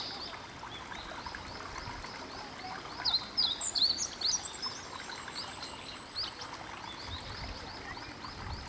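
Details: Meadow bunting singing atop a cherry tree with cherries beginning to show, at a Tōshō-gū shrine on a Sunday; one rapid phrase of sharp, high, slurred notes midway, quieter faint chirps before and after over steady outdoor hiss.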